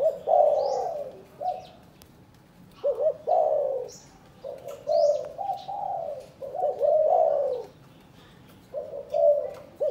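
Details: Captive spotted doves in Cần Thơ, Vietnam, introduced for breeding; repeated soft, hoarse coo phrases in bursts of one to two seconds separated by short silences, with thin high chirps from small birds in the background.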